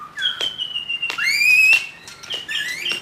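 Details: Loud song of a young wild white-rumped shama from the forest: long pure whistles, one sliding steadily upward, with sharp clicks between phrases.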